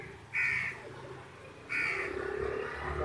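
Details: A Pekin duck, one of a couple, gives two harsh, nasal quacks about a second apart. A lower murmur, possibly a voice, follows the second quack.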